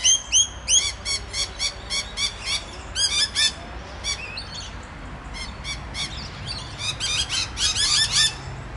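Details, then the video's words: Rainbow lorikeets chatter noisily to each other on the Olinda Creek Trail, Montrose, Victoria, Australia: rapid bursts of shrill, screechy notes, several per second, with brief pauses between outbursts and a low background rumble. "A Rainbow Lorikeet talking to its friends"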